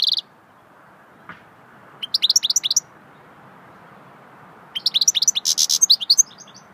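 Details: Swittey song from a goldfinch, two phrases of fast high chirping, the second swelling into a dense buzzy rattle, with a faint click between them.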